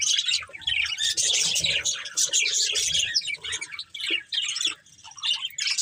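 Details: Budgerigars, a caged breeding pair kept as pets, chattering in dense warbling chirps mostly high and buzzy, in near-continuous bursts with brief pauses near the end.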